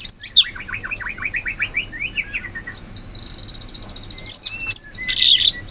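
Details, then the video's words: Sooty-headed bulbul singing wild in the forest: a quick run of rising and falling slurred whistles, then scattered notes, with high sharp chirps and trills from other birds overlapping throughout. "Suara burung cucak cungkok asli hutan"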